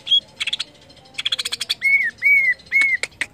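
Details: Greater green leafbird singing, meant to stimulate other leafbirds into song: rapid buzzy chatter and scratchy notes, then three clear arched whistles in a row, ending with a few sharp chips.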